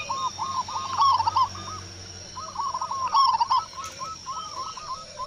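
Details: Zebra dove of a local Indonesian type, strong-voiced, answering a single lure call. Two trilling phrases of quick staccato coos swell to loud peaks, each followed by fading repeated notes.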